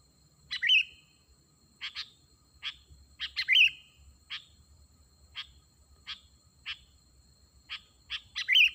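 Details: [8, 'Sooty-headed bulbul calling, used to lure wild birds. Short sharp notes are spaced irregularly, and a few end in a brief clear whistle. The calls are fairly quiet against a faint low background.']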